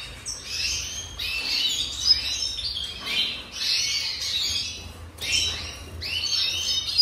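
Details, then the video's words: Red siskin song recorded in the 2023 season: bright, twittering bursts of high chirps and buzzy trills, each lasting about a second and separated by short pauses, with a faint low hum underneath. "Tarin Du Venezuela"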